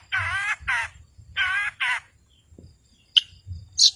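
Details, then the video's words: Long-tailed shrike used to goad mute birds into song. It gives two pairs of loud, rasping screeches, then two short, sharp high notes. "Cendet Gacor Si Pemancing Lawan Sangat Ampuh Mengatasi Burung Yg Membisu"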